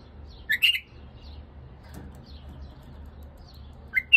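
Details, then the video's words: A white-eared bulbul gives two short bursts of bright, liquid chirping notes about three seconds apart over quiet low room hum; bulbul song. "تغريد بلبل"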